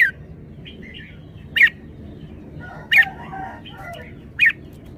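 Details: Three loud, sharp whistled bulbul notes spaced about one and a half seconds apart, with softer warbling, chattering phrases between them; the singer is a red-whiskered bulbul.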